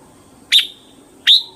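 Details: Red-whiskered bulbul giving two short, clear whistled notes about three quarters of a second apart, each with a slight upward flick, over a steady faint background hum.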